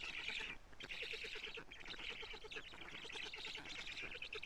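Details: At a black stork nest in Karula, Estonia, an adult delivers big fish to the young, filmed by a live camera on 14 June 2017 in the late afternoon. Harsh, pulsed wheezing bursts follow one another closely.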